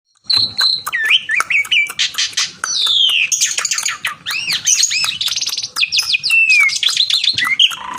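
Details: Javan pied starling in lively full song, calling a rival: a rich, continuous medley of clear whistles, rising and falling slurred notes, harsh buzzy bursts and rapid chattering phrases, with sharp clicks scattered throughout.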